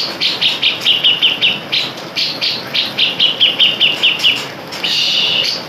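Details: Lure song of a Grey-cheeked Bulbul (cucak jenggot) for tutoring other songbirds: rapid series of sharp, high, slightly falling chirps, roughly two or three each second, in two runs, ending in a sustained harsh, buzzy, rasping note.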